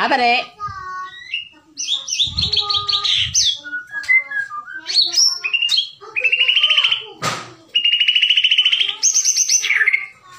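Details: White-rumped shama, Bahorok type, delivering a varied song of whistled notes, buzzy trilled phrases and stuttering chatters, with a sharp clap-like noise partway through.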